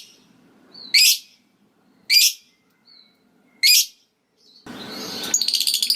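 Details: Lovebird ngetik ticking that leads into long ngekek chatter meant to provoke other lovebirds: three loud sharp clipped notes spaced one to one and a half seconds apart, then rustling and the start of a rapid high chatter.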